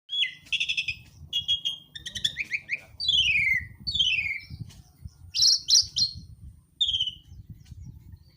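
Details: Songbird singing in full, lively voice (gacor): a varied run of high chirps, trills and descending slurred whistles in quick bursts, with brief pauses between phrases and faint low background rumble.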